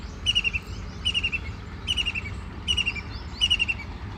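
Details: White-throated kingfisher (Halcyon smyrnensis), bathing and flying, gives short, sharp chattering bursts of three or four high notes about every second over a low steady background rumble.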